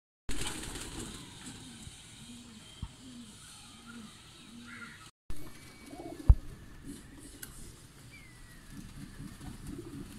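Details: Teddy pigeons, a domestic pigeon breed, give low humming coos, about five even notes roughly a second apart, followed by a short break and softer, irregular cooing with a few sharp clicks.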